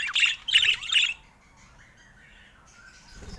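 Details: Budgerigars at play with their owner: three quick harsh squawks in the first second, then near quiet with faint soft warbling and a low thump at the end.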